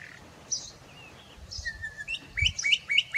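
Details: Bokmakierie living wild in forest: a few isolated high chirps and a drawn-out falling whistle, then a quick regular series of bright, sharply hooked notes, with faint low rumbling beneath.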